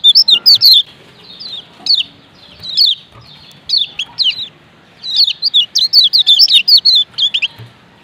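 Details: A male lemon-bellied white-eye from Lombok gives rapid, high, thin chirping notes in quick bursts, with short pauses between clusters.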